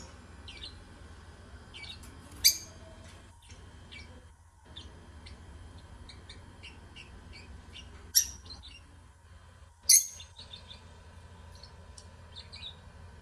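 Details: Lovebirds singing: three loud, sharp squeaky chirps standing out at irregular intervals over a steady wash of faint twittering and a low, constant hum.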